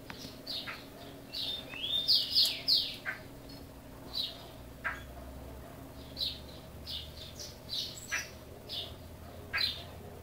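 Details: Caged chopi blackbird, native to Brazil, in song: a rising slurred whistle leads into a loud run of bright rich notes, then evenly spaced sharp high chirps continue roughly every second.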